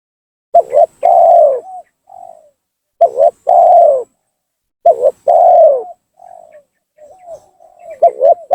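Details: Tekukur, or spotted dove, giving a lure call to bring rival doves down: loud coo phrases of a quick double note and a long falling coo, each trailed by a soft quieter coo.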